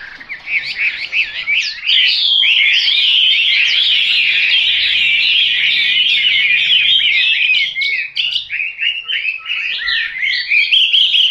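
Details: Chinese hwamei singing a dense, continuous warbled song of rapid whistled and slurred notes, varied and loud throughout, with no pauses.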